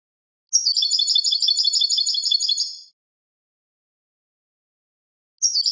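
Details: Clean song of a European goldfinch: a long, dense trill of high, rapid, twittering notes over about two seconds, then a pause and the start of another burst. Quiet background.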